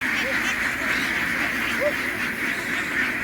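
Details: A flock of farm ducks running ashore to board a ship, their massed calling merging into a steady, buzzing din like a swarm of bees, with a few higher squeaky notes rising above the constant roar.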